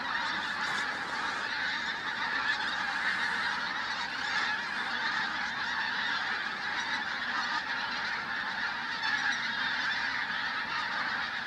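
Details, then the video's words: Many pink-footed geese at Flitcham on 5 January 2017 produce a sustained, dense chorus of yelping honks that swells slightly in places and never pauses. "Pink-footed Geese, Flitcham 5th January 2017"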